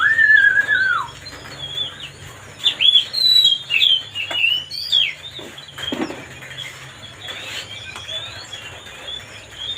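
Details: Oriental magpie-robin song played to provoke another bird into agitation: a long falling whistle opens, then a run of varied high sliding whistles and short chirps, with quieter gaps and faint background hiss.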